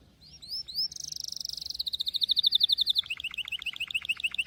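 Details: Singing canary opening with a few rising chirps, then a dense high buzzy trill, a slightly lower rapid trill, and finally a slower series of sharp repeated notes.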